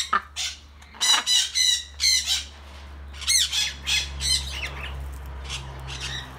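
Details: Cockatiel (Nymphicus hollandicus), calls.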